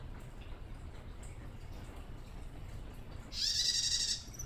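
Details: After several seconds of near silence with low hum, a young female bar-winged prinia, not yet trained, gives one loud rasping buzz lasting under a second, the ngelcir call used to summon males.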